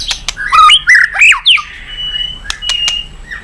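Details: White-rumped shama song meant to prompt other birds into singing, here a short burst of harsh squawky notes and sliding whistles, followed by sharp clicks and a thin sustained tone.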